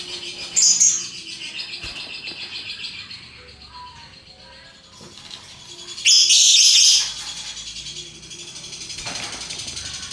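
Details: Lovebird parrot chattering in ngekek style: a brief loud raspy burst early on and a longer, dense, buzzy high chatter later, with quieter twittering between and faint low tones in the background.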